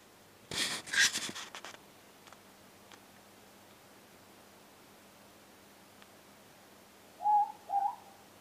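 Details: A morepork (ruru) close by outdoors gives its two-note hoot near the end, a mellow falling 'more' then 'pork', after an earlier burst of rustling noise.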